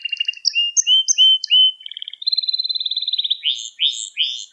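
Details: Canary singing in a recording meant to train young birds: clipped high notes and short whistled slurs, a long even rattling trill, then repeated upward-swooping notes.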